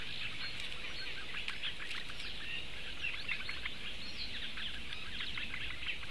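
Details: Four Eurasian bittern chicks begging for food, broadcast live on 16 May 2017. A dense, steady chatter of short ticking notes, with a few brief whistles over a soft outdoor hiss.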